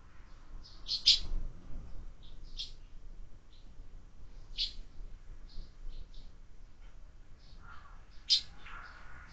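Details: Sparrows at a window feeder with year-round feeding: irregular bright high chirps spread over the recording, some louder, set against a low background rumble, with a few lower rougher notes near the end.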